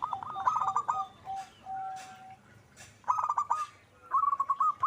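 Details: Perkutut gacor, a zebra dove singing: rapid trilled coos open the clip, then a plain sustained note, and two more bouncy bursts of repeated coos follow.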